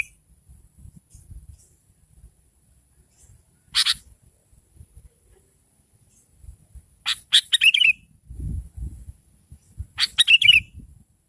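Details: Sooty-headed bulbul lure call meant to provoke replies: short harsh chirps in brief bursts around seconds four, seven and ten, with a bubbly descending phrase, separated by quiet gaps with faint low rustling.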